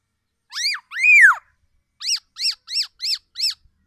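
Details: Tame black-naped oriole calls loudly: two arched slurred whistles, then five short, evenly spaced rising notes about a third of a second apart, in a quiet setting.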